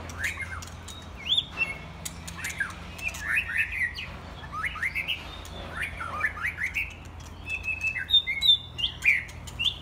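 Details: Several young white-rumped shamas, mostly after their first molt, playing together. Bright whistled phrases rise and fall and overlap from more than one bird, with sharp upslurred and downslurred notes and chirps.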